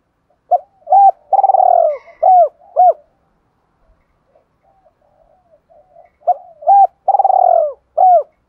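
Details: Spotted dove cooing used to excite a decoy bird and provoke fighting: two phrases of short hooted notes building to a long, rolling, burry coo, separated by a quiet stretch with faint soft notes.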